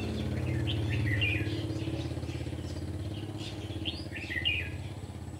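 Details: Red-whiskered bulbul used as a decoy, singing in a trap to lure wild bulbuls: short warbled, chattering phrases at the start and again near the end, over a loud, steady motorcycle engine drone.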